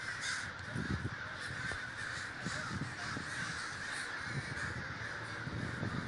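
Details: Crows crowding together in a large gathering at Davis, California, producing a dense rasping chorus of caws over low irregular thumps and rumbling.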